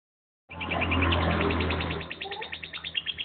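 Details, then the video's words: Household lovebird song used to prompt a response from other birds: a fast, even string of repeated high chirps, about three per second, over a steady low hum. "Lovebird paud jadikan burung anda langsung respon"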